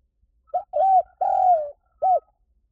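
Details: Spotted dove lure call: a short soft note, a sustained coo, a long drawn coo sliding slightly downward, and a closing short arched note, delivered clearly against silence.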